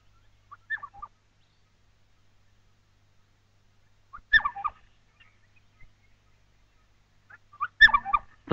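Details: On a dawn over open grassland across a river, a Red-crested Korhaan rises steeply skyward above its nesting territory, proclaiming it with three bursts of whistled notes and sharp beak clacks about four seconds apart, the last ending in a loud snapping clack.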